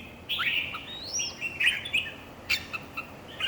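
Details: Red-whiskered bulbul singing in a competition, softer warbled whistles and a rising slur, with a few sharp chirps and clicks.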